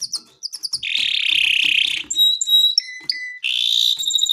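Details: Canary in gacor song for mastering: quick chips lead into a long, dense buzzing roll, then clear whistled notes at shifting pitches and another buzzy roll.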